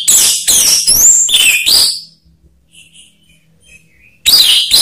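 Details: Orange-headed thrush used as a lure to prompt other birds into singing: loud, rich bursts of varied whistles and harsh chattering notes at the start and end, separated by a quieter pause with faint thin whistles.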